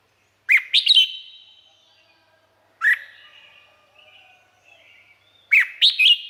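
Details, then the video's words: Red-whiskered bulbul song from Thailand: short bursts of bright, slurred whistled notes, one brief phrase, then two longer chirpy phrases about five seconds apart, with quiet faint notes between. "เสียงนกกรงหัวจุก สำหรับต่อ หรือ เปิดให้นกคึก เสียงเพราะๆ"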